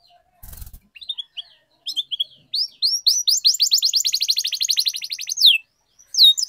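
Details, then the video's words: Canary singing as a lure to prompt other canaries to sing: scattered chirps, then a long fast trill of repeated bright notes that speeds up and ends in a falling slur, followed by a short final phrase. "Kenari Gacor Ngedur Pancingan Paling Ampuh Kenari Macet Jadi Rajin Berkicau"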